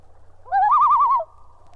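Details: Common loon tremolo, one of its four distinct calls, given when loons are disturbed, such as by a boat near them or their chicks; a quavering, rapidly wavering laugh-like note lasting under a second over low background hum.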